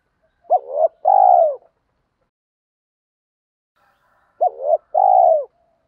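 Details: Spotted doves, male and female, cooing to stimulate newly caught birds in training. The same two-part phrase comes twice about four seconds apart: a quick bent note, then a long mellow coo. There is silence between phrases.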